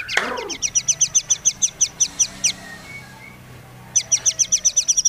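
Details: White-rumped shama song meant to provoke rival shamas into singing: a short low swoop, then evenly spaced high double-noted chips repeated about three times a second, a brief pause, and the same chipping series again.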